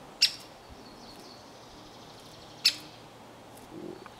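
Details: A clumsy great spotted woodpecker (Dendrocopos major) fledgling hopping on a pine gives two sharp, high, clipped 'kik' calls about two and a half seconds apart, against a quiet background.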